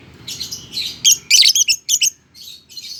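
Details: Lovebird, a small social parrot of genus Agapornis, giving bursts of harsh, scratchy high chirps and squeaky twitters, loose and irregular, with short pauses between outbursts.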